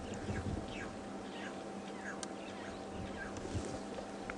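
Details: Red-billed Oxpecker at a waterhole with buffalo, its strong call often signalling a buffalo nearby, giving short, harsh down-slurred notes at uneven intervals, under a man's voice and a steady low hum.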